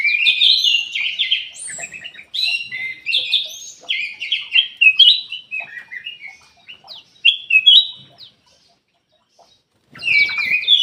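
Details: Golden-fronted leafbird in full song: long, varied, fast-paced warbling with sweet whistles, sliding notes and chattering twitters. It pauses for about two seconds, then resumes; no other sounds intrude.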